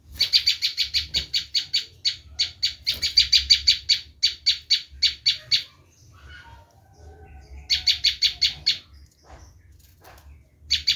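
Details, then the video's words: Bar-winged prinia giving a screaming call, used to lure wild prinias: rapid bursts of harsh, buzzy, high-pitched notes in runs of several per second, with a brief pause mid-recording before another burst. "Suara asli prenjak lumut menjerit"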